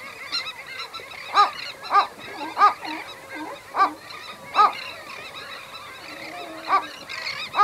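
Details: Low-intensity anxiety calls from a Western gull pair at the nest, heard close: loud, clipped, nasal yelps spaced irregularly every half second to second, over a continuous backdrop of softer chattering calls from other birds, probably terns.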